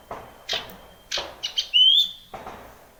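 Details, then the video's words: Wild common iora singing, used to spur silent male ioras into song: a clear whistle sliding upward then holding high, amid faint steady tone, knocks and dry rustling clicks. "sirtu gacor SUARA ALAM LIAR ini ampuh supaya burung cipoh gacor SEKETIKA"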